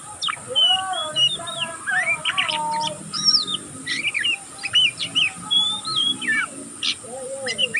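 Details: Oriental magpie-robin fledgling still mastering its song twitters continuously in the ngeriwik manner. Varied whistles and chirps include some lower, mellow slurred notes alongside high scratchy bursts, all packed densely throughout.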